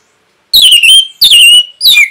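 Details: Orange-headed thrush training recording for caged birds: three loud whistled phrases, each starting high and sliding down into a sustained clear note, separated by short pauses.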